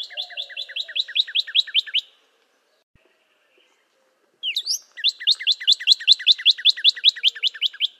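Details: Northern cardinal song in two bursts split by a silent pause: each is a quick, regular string of clear downslurred whistles. The second opens with a sharp rising slur.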